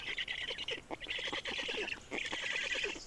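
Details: Black storks in Estonia during a feeding, recorded on 30 May 2019 at 10:27. There are three buzzy, grating bursts of fast-pulsed rasping, each lasting under a second, with short gaps between them.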